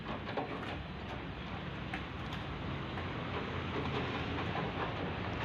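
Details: Steady broadband rumbling noise with faint clicking throughout, and no animal voice heard.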